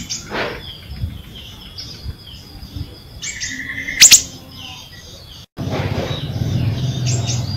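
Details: Ashy drongo singing vigorously, kept to spur silent birds of its kind into song: sharp high chips, a sweeping rising note and a flat whistled tone near two seconds in, over a low rumbling background.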